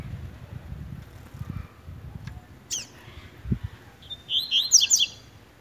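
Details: Double-collared seedeater in brown plumage competing with tui tui style song: a lone sharp chirp early, then a rapid cluster of bright, high twittering notes near the end over low background hum.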